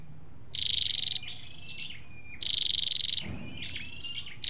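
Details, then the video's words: Recording of male and female flowerpeckers for stirring caged birds: two fast, pulsing high trills, each followed by clusters of squeaky sliding notes, plus a brief low thump. "tiếng chim sâu đâu đỏ"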